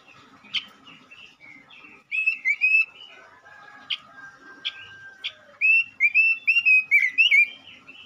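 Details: ['Lure song of a male robin in full voice: bursts of rapid whistled notes separated by a quieter stretch with a long steady tone and a few sharp clicks, then another quick, loud whistled run.']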